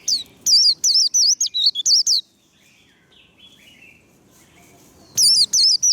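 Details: Warbling white-eye in a training session, song delivered as loud rapid bursts of high, wavy, warbled notes, about a dozen in the first two seconds, a pause of near silence, then another burst of repeated trills.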